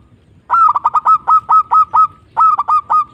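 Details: Local zebra dove cooing loudly: a rapid string of clipped mid-pitched coo notes, a short pause, then a second burst of the same notes.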